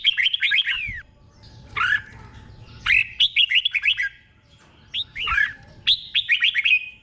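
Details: Red-whiskered bulbul in Thai doubled 'beun' song, slow and clear for copying: four well-spaced phrases of rapid descending whistled notes, roughly one every one to two seconds, with a soft hum beneath.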